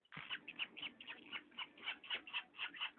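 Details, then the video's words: Pet parrot squeaking: a steady run of harsh, scratchy squeaks of varying pitch, roughly two per second, with no other clear sounds. "Попугай скрипит"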